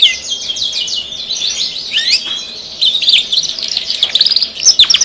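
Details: Caged SF canary singing eagerly: a loud, continuous high warble of fast trills and rapid twittering notes, running without pause throughout.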